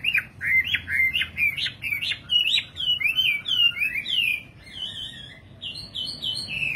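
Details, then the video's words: Singing nightingale delivering rapid jagged warbles, a dense tumble of short notes, followed by calmer, evenly spaced whistled phrases. "Singing nightingale. amazing bird song"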